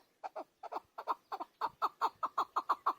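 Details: Chukar partridge, or keklik, opening with paired hesitant clucks that settle into an evenly spaced, accelerating series of loud chuk notes.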